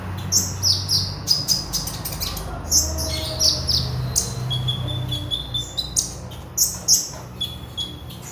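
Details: Magpie robin singing persistently, used as a lure and master recording for bird training: quick high chirps and thin whistles in rapid succession over a constant low background hum.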